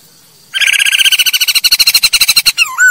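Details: Masked laughingthrush, poksai hongkong, used to train birds: a fast, steady trill of harsh pulsed notes lasting two seconds, ending in a whistled downslur.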